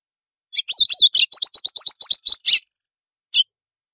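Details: White-throated seedeater from northeastern Brazil singing the snapping 'estalo' style of song, used to warm up other birds: a fast run of about a dozen sharp, clicking, warbled high notes over two seconds, then one isolated note after a pause.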